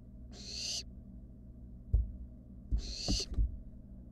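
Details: Rasping, breathy screech from a wild barn owl inside a nest box shared with siblings, two bursts spaced about two and a half seconds apart, with soft thuds and scuffling in between.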